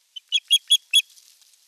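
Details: Osprey at Eurajoki on 25 April 2022, courting an unringed female during a sky dance display: a quick run of five shrill, piping notes, each sharper and louder than the last, ending in a soft airy hiss.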